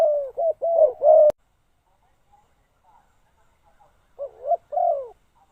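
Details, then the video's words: A decoy spotted dove used to call wild birds gives a short burst of low hollow coos, then a pause of about three seconds before a few more coos, with a sharp click near the start. "chim cu mồi gáy gọi bổi"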